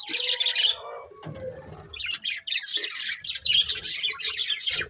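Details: A colourful breeding pair of budgerigars chatters in dense, high scratchy warbles, a brief lower murmur near the middle before the chirping resumes in quick overlapping bursts.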